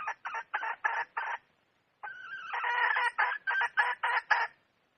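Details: Red junglefowl hen: a run of rapid harsh clucks, a short pause, then a drawn-out note leading into another fast series of rasping clucks.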